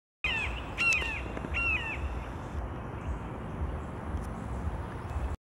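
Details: Red-shouldered hawk calling, with an osprey flying nearby, gives three or four harsh, high, slightly slurred screams in quick succession during the first two seconds, then only low wind rumble.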